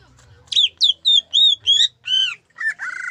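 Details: Greater green leafbird of the Gayo type, singing with zebra dove imitation: a fast run of loud, clear whistled notes, each swooping down then up, about seven in three seconds, ending in a lower buzzy slurred phrase.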